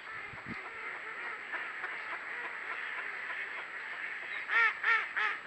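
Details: Geese near water with ducks around: a steady background chatter of waterfowl, ending in three loud, nasal honks about a third of a second apart.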